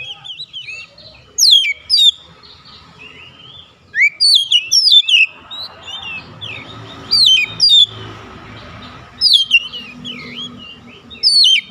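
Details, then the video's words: Oriental magpie-robin calling others and getting replies: repeated loud phrases of sharp, steeply slurred whistles roughly every two seconds, quieter warbling notes between, over a steady background hum. "KACER MEMANGGIL KAWAN | KACER LAIN LANGSUNG RESPON GACOR"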